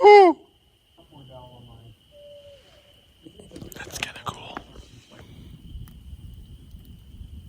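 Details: At a camp on Michigan's Manistee River Trail in the evening, an owl, which the campers think sounds like a barred owl, gives a single brief, loud, downslurred hoot, followed by faint voices, rustling camp noises and a thin steady hum.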